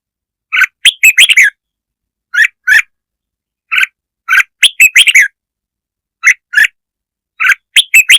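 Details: Red-whiskered bulbul singing 'kich mồi' song meant to provoke other birds: clusters of quick, liquid chirps and warbled notes, repeated in bursts with short pauses.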